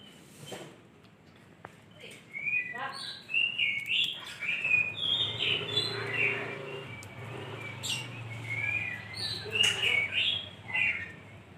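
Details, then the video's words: Chatty, melodious lovebird chirping: fast high squeaky twitters and sharp clicks run almost continuously, with a soft low hum underneath in the middle part. "BURUNG LOVEBIRD"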